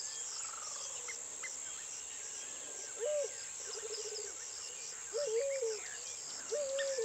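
African jacana giving short, nasal, slightly falling calls and a quick rattling series, spaced a second or two apart, over a steady insect drone and faint chirping birds.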